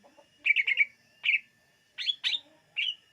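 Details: Greater green leafbird singing, a recording meant to lure birds: a fast trill of four clipped whistles, then separated bright notes and two higher buzzy phrases, with a thin steady tone underneath.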